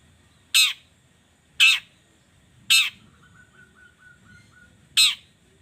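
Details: Long-tailed shrike lure sound for mornings, aimed at getting shrikes to sing: loud harsh grating notes spaced about once a second, with a thin steady whistle and low background hum between them.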